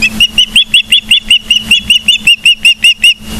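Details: Ospreys at a nest camera in Charlo, Montana, recorded 15 September 2023 at 12:55: a fast, steady run of high, piercing whistled chirps, about three each second throughout, over a faint low hum.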